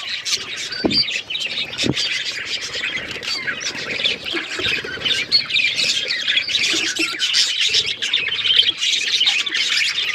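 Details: Several colourful pet budgerigars playing with each other, giving dense, overlapping scratchy chirps and squawks in a continuous chatter, with a few brief low knocks.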